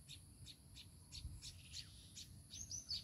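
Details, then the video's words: Baya weaver with its chicks, a quick run of short, high, clicky chirps about three per second, with a constant thin insect drone and faint low background noise. "babui pakhi are tar baccha"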